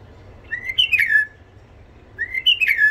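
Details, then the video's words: Tame Iraqi white-eared bulbul with a husky voice, singing to teach young bulbuls and excite wild ones: two matching whistled phrases that climb, waver, then slide down, repeated in quick succession. "تغريد بلبل عراقي ابيض الخدين اليف صوت خشن حنجره ذهبيه لفتح البلبل الوحشي لتلقين صغار البلابل تحفيز"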